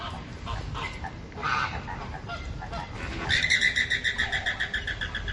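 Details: Flamingos calling with a rapid series of nasal, honking notes repeated several times a second, building after a quieter, murmuring start over constant background noise.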